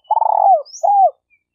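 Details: Spotted dove (tekukur), denak lure bird for trapping in Malaysia: a long rolling trilled coo sliding downward at the end, followed by a smooth arched coo, with a faint high chirp between.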